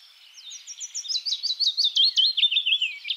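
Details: A willow warbler recorded in the Netherlands sings a soft, sweet phrase of quick notes that slides gently down the scale and swells toward the end.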